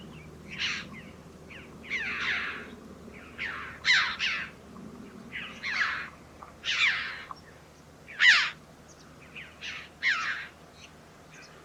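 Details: Red-billed chough in Portugal giving loud, ringing 'chee-ow' calls, harsh yet high-pitched, repeated irregularly about every one to two seconds over a low background hum.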